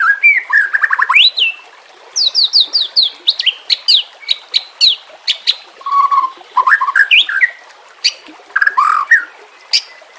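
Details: Training recording of a white-rumped shama with water and nature sounds behind: rich whistled phrases, a series of descending slurred notes, then low mellow whistles and sharp chips.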